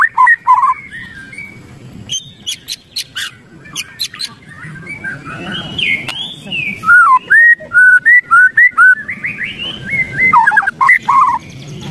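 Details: Riled white-rumped shama mixing harsh clicks and chatter with loud, clear whistled notes that rise and fall in quick repeated phrases of about two per second, background quiet apart from faint hum.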